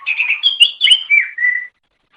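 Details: Loud, brief phrase from a greater green leafbird (cucak ijo) in a masteran training recording for songbirds. Warbled whistles slide downward into a steady clear whistle, then silence.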